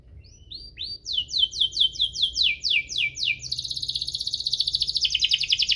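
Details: Canary in full 'gacor' chirping-and-rolling song, a lure for canaries that rarely sing; rising notes give way to a string of about ten descending slurs, then a high, very rapid rolling trill.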